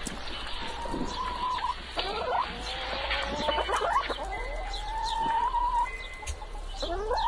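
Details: Chickens calling: long drawn, slightly rising tonal notes near one pitch, overlapping harmonic squawks, and a steady low background hum.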